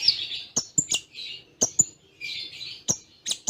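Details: Konin singing Cililin-style phrases: buzzy high twitters alternating with sharp clicks and squeaky upslurred notes, repeated in quick bursts with short gaps.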